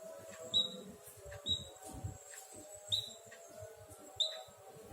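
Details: White-headed munia imitating a canary: brief high thin whistled notes with a short upward flick, spaced about one to one and a half seconds apart over faint background noise.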